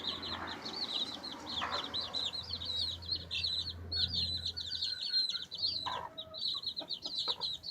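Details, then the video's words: Baby chicks pecking and scratching, keeping up a chorus of high, rapid peeps over a steady low hum that stops partway, with scattered scratching clicks. "Cute Baby Chicks Pecking Scratching Chirping Sounds Noises!"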